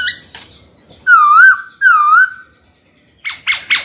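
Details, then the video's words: Black-throated laughingthrush gives two loud, wavering whistled phrases about half a second each, then three short sharper notes, singing to provoke a rival into fighting. "Khiếu hót sắc nét, rõ ràng, kích bổi chuẩn, bổi nhanh mở mỏ đấu thôi!"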